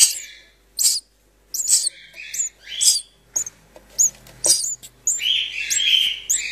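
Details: House sparrow nestlings, found during building work and waiting for their mother who did not return, give rapid, high, scratchy begging chirps in bursts about every half second, some rising and thin, with a few louder buzzy squeals.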